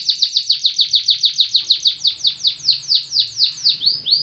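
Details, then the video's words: Canary singing vigorously: a long, rapid series of high, downward-sweeping whistled notes that slow slightly toward the end, with a faint low hum beneath. "KENARI GACOR SATU TITIK"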